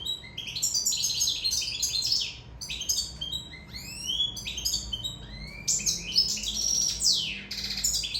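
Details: Sicilian European goldfinch singing in love: rapid, continuous twittering of tinkling, buzzy and sliding notes in long bursts, with brief pauses and sweeping downward slurs between phrases.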